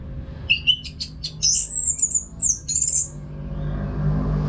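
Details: Orange-headed thrush song used to coach caged birds: quick sharp notes lead into a high, rippling, slurred whistle phrase, ending in a few short notes before a low background hum.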